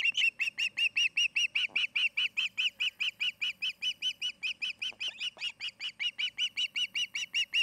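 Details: Osprey calling from its nest in Charlo, Montana, on 8 August 2018, captured by a nest cam: a long, unbroken string of shrill, slightly rising whistles, evenly spaced and loud throughout, with a few faint lower sounds beneath.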